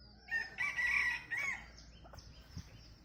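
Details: Bantam chicken used as a decoy bird, known to crow about nine times with a crow likened to laughter. It gives a broken crow in three bursts over about a second, followed by faint clucks and light chirping of small birds.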